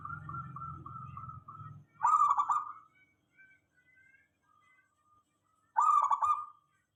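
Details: Local zebra dove song used as a lure to get other doves answering: a soft stuttering trill of rapid cooing pulses, followed by two louder rolling coo bursts about four seconds apart, with faint low hum early on.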